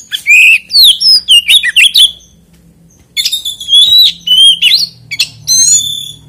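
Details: Oriental magpie-robin song intended to provoke other magpie-robins: quick sequences of whistled and slurred notes with scratchy chips, a pause of about a second, then another lively phrase.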